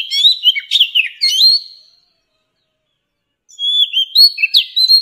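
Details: Oriental magpie-robin, an old bird from the wild, singing for young birds to learn from: a quick flurry of varied whistles and clicks, a silence of about a second and a half, then another lively phrase.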